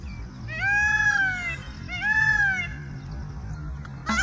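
A peacock gives two loud, wailing, cat-like cries about a second apart, each arching up then sliding down, with a third starting at the end over low background rumble.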